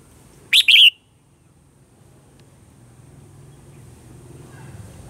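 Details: Red-whiskered bulbul singing in the morning in a mature wild-voiced style, used to train birds. One loud, short whistled phrase of two quick notes, then a quiet stretch with a low hum.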